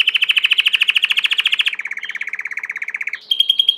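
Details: Belgian canary singing a rolling trill of quick repeated notes that drops slightly in pitch partway through, then ends on a clear sustained high whistle.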